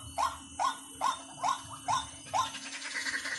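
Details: Waterhen call used as a lure, white-breasted species: six evenly spaced rising notes, each short and clipped, followed by a softer blur of sound.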